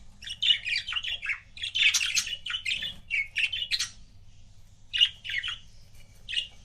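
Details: Two pet budgies, a couple, chatter in a lively run of quick warbling chirps and buzzy squawks, pausing briefly before a few more scattered chirps.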